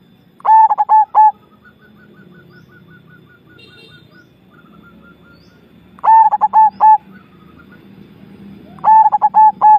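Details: Javanese zebra dove cooing: a bright, bubbling phrase of about five quick stuttering notes ending in a longer tone, repeated roughly every four seconds, with faint softer cooing between phrases.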